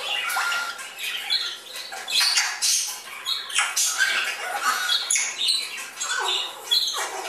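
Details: Fledgling Congo and Timneh African grey parrots flying indoors at a bird shop near Dallas, Texas: a steady run of harsh, raspy, high squawks that overlap one another, with short bursts of louder screeches.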